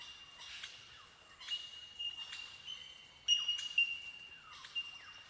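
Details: Bell miners giving ringing bell-like 'tink' calls in tall eucalyptus forest of south-eastern Australia; a steady high pure tone held throughout, with sharp clinking notes and chirps from several birds blending into a windchime-like chorus.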